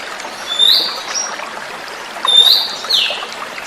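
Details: Oriental magpie-robin, a forest-caught young bird, singing as a lure to stimulate magpie-robins that stopped singing: two short clear whistled phrases near mid-high pitch, sliding notes, over a steady trickle of flowing water.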